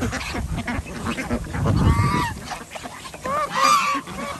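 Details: Ducks on a village farm in Andhra Pradesh, India, during feeding time with geese and chickens nearby; low thumping noise midway, then drawn-out nasal honking quacks, the loudest near the end.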